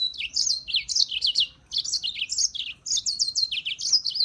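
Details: Continuous hurried, glassy European serin song: tight clusters of very high, wiry notes tumbling downward, with only tiny pauses.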